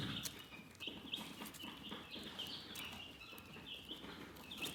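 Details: Relaxed chickens chirp in a dense flock chorus of high, short peeps rising and falling over one another, with continuous scratching and rustling underneath.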